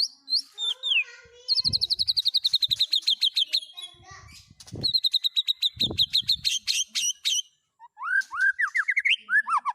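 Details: White-rumped shama song with speed cililin, canary and lovebird fill-ins: long fast trills of even, high repeated notes, a few low whistles between, then a closing sequence of rising squeaky whistles; faint thumps underneath.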